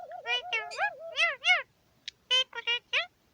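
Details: Male Indian ring-necked parakeet in a home aviary, New Year's Day 2021, talking to himself: a nasal, wavering run of speech-like syllables rising and falling, a sharp click, then four quick harmonic chirps.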